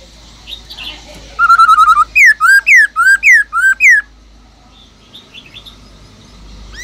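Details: Caged Black-throated Laughingthrush singing in its forest voice, a song used to spur other laughingthrushes to sing: a quick staccato trill, then six loud ringing whistles that rise and fall in steady succession, followed by quiet.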